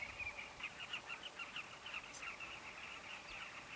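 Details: Softer, more distant chatter from a carmine bee-eater breeding colony at a safari camp: short rolling notes repeat in loose succession over a faint background hiss.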